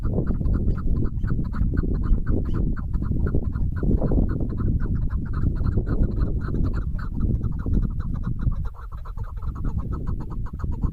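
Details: Female chukar partridge, bird-hunting context, giving a continuous fast string of harsh clucking notes for most of the recording, briefly easing near the end, over steady low-frequency noise.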